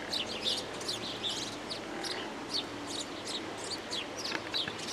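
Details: Singing common nightingale giving sharp, high chirped notes in short separated phrases, some repeated roughly every half second, with quieter pauses between bursts and a low constant hum of background noise.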